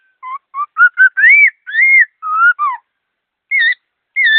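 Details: Clear, quick-sung laughingthrush phrases: a string of short whistles rising in pitch, then longer arched and falling whistled notes, a brief pause, and two final looping whistles; otherwise quiet.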